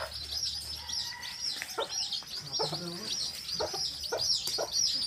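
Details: A hen and her baby chicks out in a field; the chicks' shrill overlapping peeps run steadily throughout while the hen adds soft, low clucking notes, over some faint background noise.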